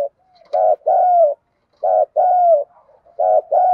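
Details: Decoy female spotted dove calling to draw in males. Three pairs of deep coos arrive in close rhythm, each pair a brief burred note followed by a drawn-out, gently falling hoot, with soft breathy sounds between them.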